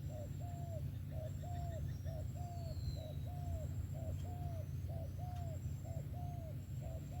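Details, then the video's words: Spotted dove song: a short note followed by a longer, arched coo, repeated steadily about every three quarters of a second over a constant low hum. "SẤM THỔ TỐT TIẾNG"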